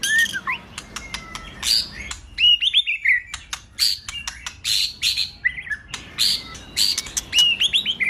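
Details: White-rumped shama song to provoke a male into singing, mixing loud clicks, buzzy bursts and looping whistled notes, with repeated short rising phrases near the end.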